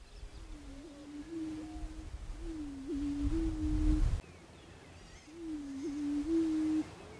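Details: Prairie chicken giving low, hollow, humming moans, each a steady tone with a small upward hiccup, repeated in three long notes. Low wind rumble swells beneath the second note.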